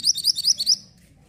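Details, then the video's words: Mantenan orange bird singing, a recording used to tutor white-rumped shamas: a quick run of about six bright, high chirped notes in under a second, then silence. "BURUNG MANTENAN ORANGE SEDANG BERKICAU"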